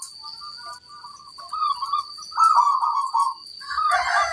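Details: A local zebra dove singing in a training recording, noted for its big 'kung' voice: soft short coos build into a louder rolling trill, then a rougher, broader voice joins at the end.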